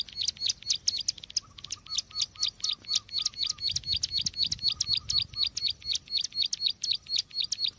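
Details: Bar-winged prinia call used as a trapping lure: fast, rhythmic series of high sharp chirps, about four per second, steady throughout, with a brief lower chattering series underneath midway.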